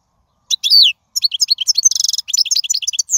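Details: Wild European goldfinch singing, a recording meant to teach young birds: a rapid, tinkling run of high twittering notes, slurred sweeps and a brief buzzy trill in the middle, delivered almost without pause.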